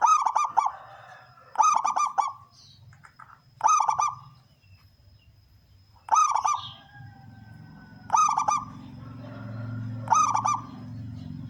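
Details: Local male zebra dove singing persistently, a big-'kung' style song used as a lure for local wild doves; six short cooing phrases of pulsed, stuttering notes with a strong final coo, repeated about every two seconds, with faint low hum behind.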